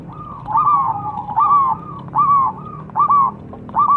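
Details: Zebra dove cooing, played as a lure to set other birds singing: short rolling coo phrases repeated roughly every half second, each a quick stuttering burst, over constant low background hum.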